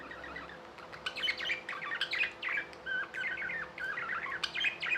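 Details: Indian pet budgerigars in lively chatter, overlapping scratchy warbles, squeaks and quick tweets in uneven bursts, several birds heard at once, a steady electrical hum underneath.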